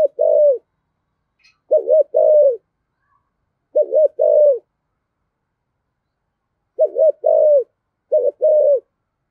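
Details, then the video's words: Spotted dove singing in the thổ voice style, used to make wild-caught doves coo in reply: a series of five low, hollow phrases, each a quick double note and a drawn-out falling coo, a clean and quiet background. "cu gáy giọng thổ giọng hay thúc gù bổi nghe gáy theo sung mãn"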